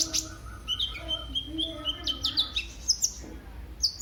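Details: Sunbird known locally as kolibri ninja, used as a lure and master recording to make other birds sing. High, thin whistled notes and quick sweeping chirps run continuously, with fainter lower whistles underneath.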